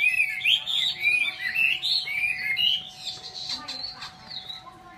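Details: Chinese hwamei pouring out fast, varied whistled song for about three seconds, notes looping up and down, then fading to softer scattered chirps and clicks with a constant faint hum.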